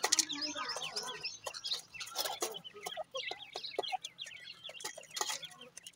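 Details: Several grey francolin chicks at feeding time make many short, high descending peeps in quick runs, mixed with frequent sharp clicking and tapping sounds.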